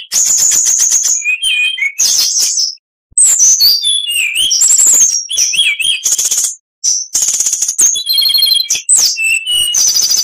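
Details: Oriental magpie-robin song for bird training, dense and loud: sweet slurred whistles, rising and falling notes, and fast buzzy trills in quick succession, with two brief silences.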